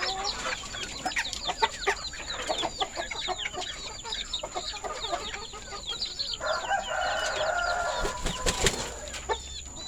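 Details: Rooster with bright red and orange feathers at a poultry farm, afternoon feeding, 21 February 2022; dense high chick peeping and clucks, then a long steady crow lasting about two seconds, followed by a sharp knock.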